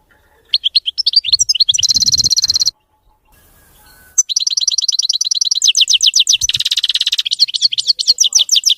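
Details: European goldfinch in clean, faultless song: a quick rhythmic twitter swells into a buzzy trill, breaks off in silence, then resumes as a long stream of rapid, high, chattering notes and trills.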